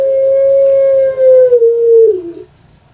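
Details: Kept puter pelung dove, the long-voiced dove famous in Java, Indonesia: a single smooth, level coo held for about two seconds, then dipping and fading into a brief throaty tail.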